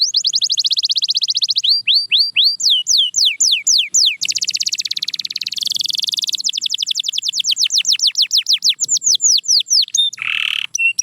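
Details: A Belgian canary sings a fast, continuous song of rolling trills and rapid sweeping whistles, shifting between tours, with a brief harsher buzzy note near the end.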